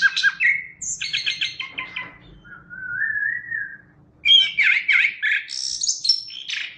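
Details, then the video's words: Energetic song of a Chestnut-backed thrush: a quick run of repeated notes, a long level mid-pitched whistle, then rapid rising and falling whistles and high trills. "Suara Burung Anis Kembang | Gacor"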